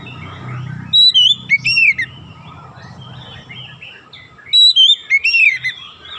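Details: Training recording of an oriental magpie-robin, used to coach young birds toward rapid 'nembak rapat' singing. Two short phrases of bright, slurred whistles and high thin notes are separated by quieter warbling over a low hum.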